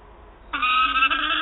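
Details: Peregrine falcon chick demanding prey from its mother at Wałbrzych, 9 August 2022: a single harsh, drawn wail of almost a second after a quiet start.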